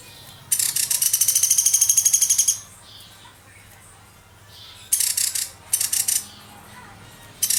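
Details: High, rapid rattling bursts from a young woodpecker used as a songbird training master: a long two-second string of sharp pulses, a quiet gap, then several shorter chattering bursts in quick succession.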